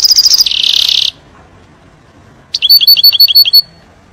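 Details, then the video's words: European goldfinch singing 'nar' song to teach young birds: an opening fast rattle grading into a dense buzzy trill, then after a gap a crisp series of about eight ringing, tinkling notes. "تغريد طائر الحسون نار لتعليم الفراخ"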